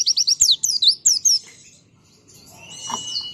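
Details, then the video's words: Oriental white-eye singing to provoke replies from other white-eyes: a quick burst of loud, sharp downslurred chirps, then quieter high warbling with a thin steady tone. "Pleci Gacor Ini Memancing Pleci Lain Jadi Nyaut Bunyi"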